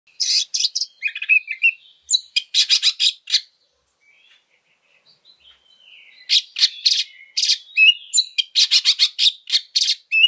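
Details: Oriental magpie-robin in fighting mode, song used as a lure for other birds: bursts of harsh, buzzy broadband notes mixed with short whistles, a quiet gap midway, then dense rapid harsh phrases resume.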